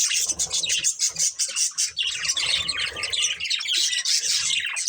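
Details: A breeding pair of budgerigars chatters nonstop, a thick wash of twittering, buzzy notes and harsh squawks, over light low rumbling.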